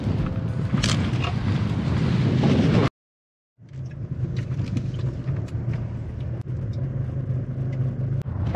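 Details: Loud low vehicle rumble and rustling, broken by a brief moment of silence, then more engine noise with scattered clicks.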